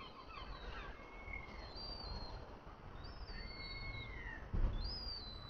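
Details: Young seagulls at feeding time give thin, high, drawn-out whistles that slide downward, repeated every second or so, against heavy wind noise with a brief knock near the end.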